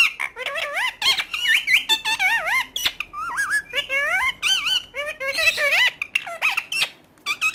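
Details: Continuous parrot talking: rapid, word-like phrases of bending tones, loud and close, broken by short pauses, with a quieter stretch near the end.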